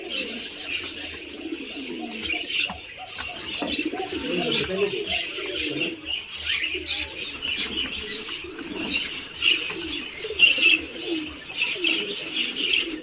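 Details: Four-month-old helmeted guineafowl chicks in a flock on a poultry farm in Assam keep up a constant harsh, high chatter with lower soft murmurs.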